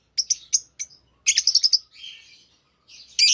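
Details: Lovebirds kept as a lively, healthy flock give sharp, high chips in a quick uneven series, then a dense run of shrill chattering notes, a softer buzzy twitter, and a loud screech at the close.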